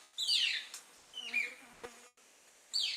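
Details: Golden-collared manakin (Manacus vitellinus) males at a lek in the western cordillera, calling to attract females: three loud, slurred, descending whistles, about one per second, with two sharp, dry wing snaps between them.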